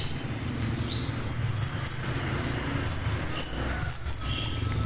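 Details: Young orange-headed thrush giving calls meant to prompt adult birds to answer: rapid series of sharp, very high chirps and a brief lower whistle, set against a constant low background drone.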